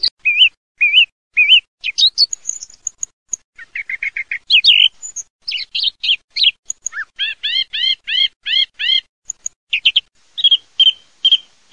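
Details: Song thrush in full song: varied whistled and squeaky phrases, then a clear falling slurred note repeated about six times in a steady run, followed by more repeated chirps.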